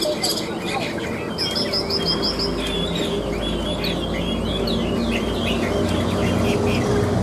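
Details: Chinese hwamei, hung out in a cage, singing "ngũ trường" style: a quick run of repeated high piping notes, then looping whistled slurs, over steady low background hum.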